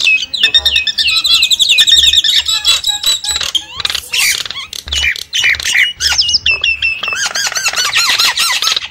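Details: Javan myna calls used as a lure for wild birds: a noisy stream of buzzy squawks, rattles and slurred whistles, densely packed, with rising and falling whistled phrases toward the end.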